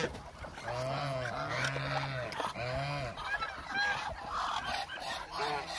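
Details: Large hungry flock of Muscovy ducks, around 1000 birds: drawn-out, arching nasal honks overlap continuously with many fainter calls behind them.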